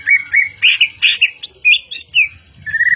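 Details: Medan-type White-rumped shama of the fighter type singing a run of clear whistled phrases, some sliding up and down, with short bursts of mixed chirps between them and a brief rapid stutter at the end.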